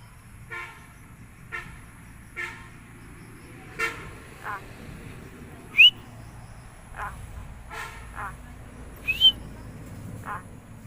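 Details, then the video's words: Talking common myna in Bangladesh producing scattered raspy, buzzy notes about every second, broken by two sharp rising whistles, over a low rumbling background. "কথা বলা শালিক পাখি"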